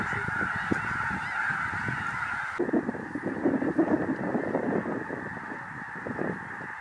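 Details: Thousands of snow geese arriving from the Arctic stream in to land in an Illinois cornfield near the Indiana border, countless nasal honks and yelps overlapping into a continuous roar with no gaps between calls.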